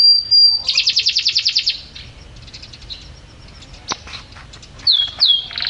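A canary sings a high whistled note, then a fast rattling trill of about a dozen bright notes, followed by softer twitters and two quick down-slurred whistles.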